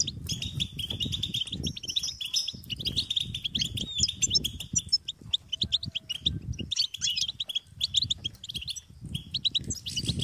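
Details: Hungry European goldfinch chicks call their parents with insistent, high-pitched begging: rapid bursts of thin chirps and twitters, with low rumbling handling noise underneath.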